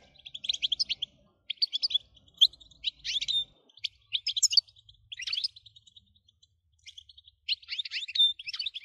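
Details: European goldfinch, 'batbata' song for stimulating goldfinches to sing: repeated tinkling, twittering phrases roughly every second, with short silent breaks and a faint low rumble early on.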